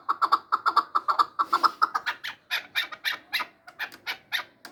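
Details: Chukar partridge from Samarkand giving a rapid run of short, sharp clucking notes, about two per second, harsh and slightly nasal, the later notes looser and more uneven.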